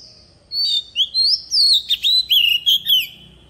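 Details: Oriental magpie-robin decoy singing the forest voice used to tutor young birds: a sweet rising whistle opens a lively sequence of slurred whistles and rasping chatters, each note distinct, lasting about two and a half seconds.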